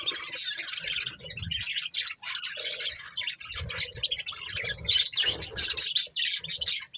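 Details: A flock of pet budgies eating corn keeps up constant high chattering and chirping, layered and busy, with low thuds throughout.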